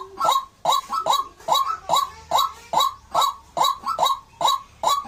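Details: Repeated raspy croaks of a white-breasted waterhen, arriving in a fast, regular beat with several notes paired closely, like two birds overlapping.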